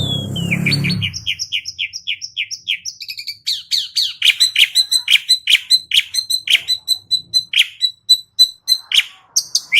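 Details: Asian pied starling song meant to rouse other starlings into singing, opening over a brief low rumble, then a long, rhythmic series of rapid, high, repeated chirping notes delivered about three per second.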